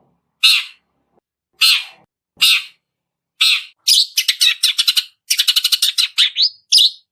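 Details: Long-tailed shrike learning to mimic chick calls: three spaced, scratchy high chirps, then a quick run of rapid clicking notes in stuttering bursts and a final upslurred whistle-like note.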